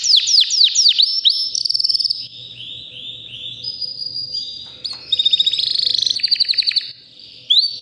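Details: Powerful song of a white canary aged about three, healthy and ready to breed: quick downward slurs, a soft series of rolling arched notes, then a sharp rapid rattle, with a faint low hum beneath.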